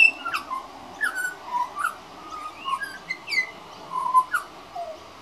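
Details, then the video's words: Juvenile pied butcherbird practising its singing: a string of varied clear whistled notes, some falling, some rising, given in short separate phrases about every half second, over a steady low background hiss. "Young Pied Butcherbird Singing"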